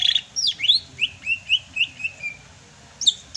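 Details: Sumatran greater green leafbird singing in the rainy season: sharp high chirps, then a run of clear whistled slurred notes about two per second, ending in a brief high burst.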